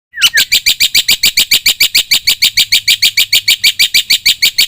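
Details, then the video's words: Black-winged myna singing lively as a lure and tutor recording: after a short downslurred note comes a fast, even train of harsh, high chattering notes, about three per second, steady through the whole stretch. "suara top jalak putih gacor - sekali putar bikin bunyi semua burung - masteran - pancingan"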